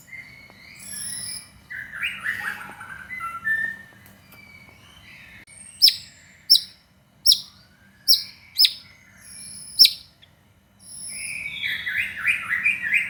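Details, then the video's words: White-rumped shama singing to provoke other shamas: scattered whistles and warbling at first, then six sharp, high, separate notes about a second apart, followed by a fast run of trilled, descending phrases. "SUARA BURUNG MURAI BATU GACOR"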